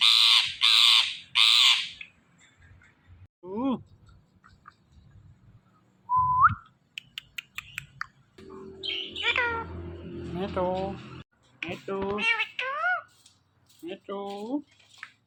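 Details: Indian ringneck parrot opening with three loud harsh squawks, then a long mix of rising and falling voice-like talking phrases, whistled notes and clicks, some over a low background hum.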